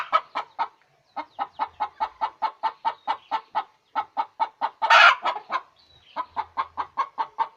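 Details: Egg-laying hen: long, regular runs of short clucks, about three per second, with a single loud, harsh, drawn-out squawk midway and a brief pause before it.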